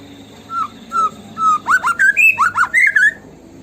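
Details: White-rumped shama song used as a lure to prompt singing: several separate low whistles, then a fast series of sweeping, rising and falling whistled phrases.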